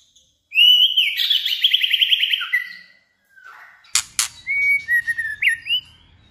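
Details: Female white-rumped shama with a wild-type voice, singing to stimulate males: a loud buzzy trilled phrase of rapid pulses, a pause, then sharp clicks and clear whistled notes sliding down and up.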